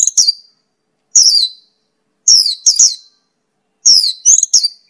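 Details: A Mongolian lark, or Pakling, gives clusters of sharp, high, downward-sliding whistled notes with second-long pauses between them, recorded as a master track for other birds.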